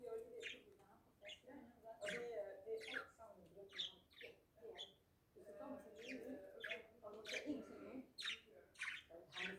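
Budgerigars chatter with rapid, scratchy squawks and chirps, warbling in bursts through the mid and upper range.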